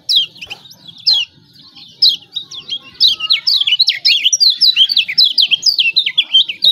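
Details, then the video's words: Lombok lemon-bellied white-eye (pleci Lombok) calling 'ciak ciak' as a master lure: high chirps spaced about a second apart, then a quickening run of sharp, downslurred notes without pause. "CIAK CIAK JOSS KECIAL KUNING AMPUH||PANCINGAN KECIAL MALAS BUNYI"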